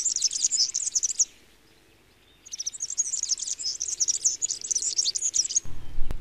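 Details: Serin singing a high-pitched, hurried, tinkling and buzzy jangle, one burst, a gap of over a second, then a longer scratchy run, with a low thump at the very end.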